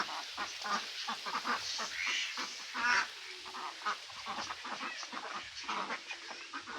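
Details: Flock of ducks, mandarin ducks, mallards and Pekin ducks among them, giving dense overlapping quacks, harsh and nasal, with a brief louder burst near the middle and constant chatter throughout.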